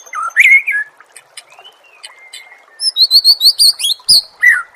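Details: Oriental magpie-robin song on a songbird training recording: a loud warbled phrase, a long thin level whistle, then a fast series of high sharp repeated notes and a final slurred whistle.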